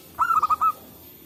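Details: Local zebra dove singing wild in the forest, used as a trapping lure: one short cooing phrase of about four soft, rolling notes, the first longest, then a quiet pause.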